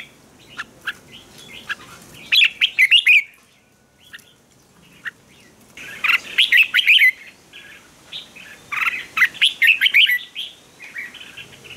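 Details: Red-whiskered bulbul fighting song, used to stimulate birds, including newly caught ones, into loud combative singing. Three bursts of rich, bubbly warbled phrases, separated by quieter gaps with a few scattered single chirps.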